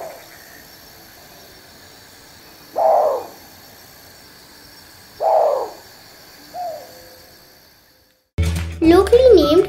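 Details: Black bittern (Ixobrychus flavicollis), a medium-sized heron of vegetated wetlands, gives three deep, hollow booming hoots a few seconds apart, the last one softer; music and a voice start abruptly afterward.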